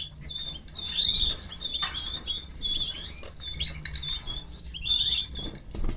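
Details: Captive canary chicks begging while the female feeds them: clusters of shrill, wavering high cheeps in repeated bursts, with soft rustling and faint low background hum.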